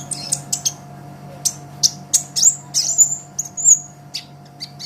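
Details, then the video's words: ['Energetic song of an olive-backed sunbird for training cage songbirds: spaced, piercing high chips that run into short, slightly falling whistles near the middle, with a low mains hum behind.'] "Suara Kolibri Ninja KONIN GACOR Untuk Masteran Kicau ! Konin Ijoan Gacor"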